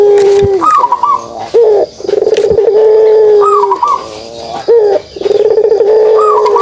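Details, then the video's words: Puter pelung dove with its kugeruk call: repeated drawn-out low coos, each preceded by a brief higher rolling note, in phrases about two seconds apart, with faint other bird calls behind. "suara kugeruk burung puter pelung"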